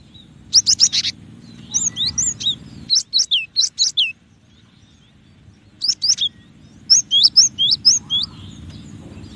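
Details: Cinereous tit (gelatik batu) singing: bursts of sharp, high whistled two-note phrases, each note sliding down, repeated quickly in three runs with short pauses; a low steady hum underneath in the first part.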